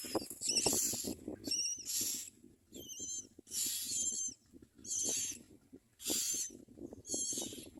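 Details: While a common myna feeds its young, loud grating hisses repeat about once a second, mixed with short clear whistled notes and soft low rustling and tapping.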